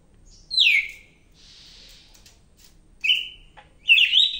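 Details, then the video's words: Medan-type Greater green leafbird singing loudly: a bold downward-slurred whistle, a soft buzzy pause, then a clear level whistle and a harsh warbled phrase. "BURUNG CAK IJO MEDAN GACOR NGAMUK"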